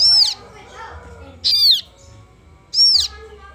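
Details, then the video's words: A kaso kaso bird chick begs with three shrill, falling calls about 1.3 seconds apart; softer rasping notes and a low hum fill the gaps. "SUARA ANAKAN BURUNG KASO KASO"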